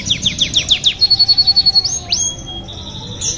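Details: Singing canary: a series of high downslurred chip notes, a rapid even trill, then a long pure whistled tone and a brief rising sweep, with a faint low background hum.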